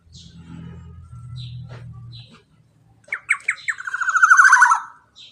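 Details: Male black-naped oriole (kepodang) in a long ropel phrase, used as master audio to get silent birds singing: a low hum first, then a loud harsh rolling series of nasal notes, rising in volume and ending abruptly.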